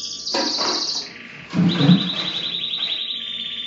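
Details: Canary song from Belgian and native 'da terra' birds: high trilled phrase, a brief low thump or knock, then a long steady rolling trill slowly sinking in pitch.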